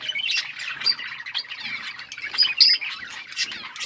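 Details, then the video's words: Budgerigars chirping while eating seeds: a busy, warbling chatter of high twittering notes and short squeaky whistles, several birds overlapping, with soft rustling underneath. "Beautiful budgies parrot chirping sounds and eating seeds"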